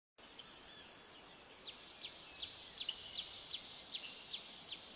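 A Brazilian tanager gives a string of short, sharp down-slurred notes, about two or three a second, over a steady high insect drone.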